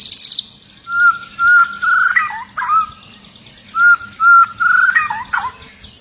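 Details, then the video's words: Long-tailed white-rumped shama singing agitatedly and stirring others: pure level whistles repeated in pairs, then a rich warbled flourish, the whole phrase sung twice. "Murai Batu Ekor Panjang Ngamuk Dan Bikin Burung Murai Lain ikut Gacor"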